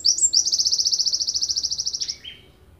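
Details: A Java sparrow from Ponorogo gives a long, fast, high trill of about twenty clipped notes in under two seconds, ending in a short downward buzzy note.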